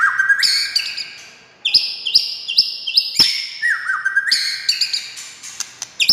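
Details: White-rumped shama (murai batu) song for provoking other shamas: loud rising whistles, then a series of short, bright whistled phrases punctuated by sharp clicks and descending slurred notes.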